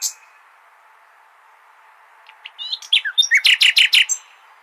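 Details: Common nightingale song played to teach goldfinches: after a quiet start, a few thin whistled notes lead into a fast, loud series of about eight repeated broadband chirps near the end.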